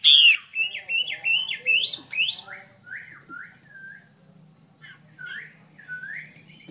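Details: Caged female Chinese hwamei whose calls are played daily to prompt males to sing: a run of loud, rapid, wavering notes at the start, fading into scattered softer, rising and falling whistles.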